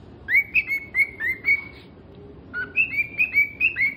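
A cockatiel sings a string of clear, whistled notes in two bursts, each note sliding and repeated quickly.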